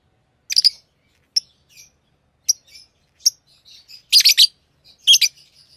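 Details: Pet lovebirds uttering thin, sharp chirps and short twitters that build to a couple of loud, rasping screeches near the end, with no other sounds.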